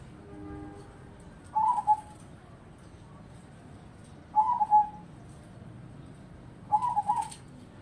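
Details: Zebra dove singing a repeated short trilled coo phrase three times, roughly every two and a half to three seconds, mellow and mid-pitched, over a low steady background hiss.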